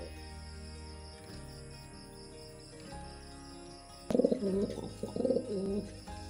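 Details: Mostly quiet steady hum at first, then a pigeon bursts into low, bubbling coos in two phrases during mating.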